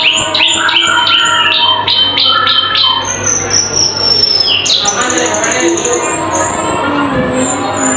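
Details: Loud, sharp-voiced cucak keling song: quick clipped high notes at first, then long thin whistles gliding slightly up and down, over a constant low electrical hum.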